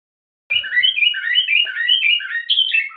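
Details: A Common (Moroccan garden) bulbul sings a song phrase with two variations: a run of quick, mellow, bubbling whistled notes that rise and fall without a break for about two and a half seconds.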